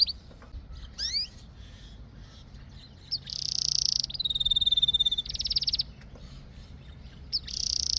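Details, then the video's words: Singing canary giving scattered high chirps and rising slurred notes, then loud buzzy trilled phrases and a clear descending whistle, separated by short quiet gaps. "Canary Singing"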